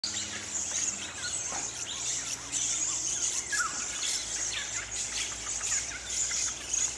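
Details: Little lorikeets in bushland near Ellalong, Lower Hunter Valley, NSW, over 200 present at flowering Spotted Gums, pairs inspecting tree hollows: short, shrill, high zit notes in scattered bursts over a steady high insect hiss.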